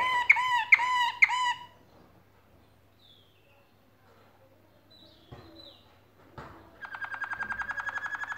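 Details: Canary in song while nest building: three loud harsh rasping notes, a quiet pause with a few faint chirps, then a steady rapid trill of mid-pitched notes.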